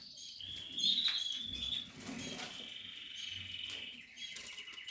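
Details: Portuguese harlequin canary during nesting and nest building in a breeding setting, giving a high whistled trill early on, then quieter scattered chirps, with soft rustling and low thumps beneath.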